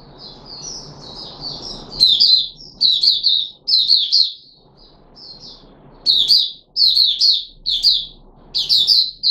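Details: Caged red-whiskered bulbul known as Puteh Raja, recorded 13 April 2021 during a feeding trial with fruit juice and a mealworm: short bursts of bright, warbling notes, softer phrases first, then louder chortling bursts with brief pauses over low background hum.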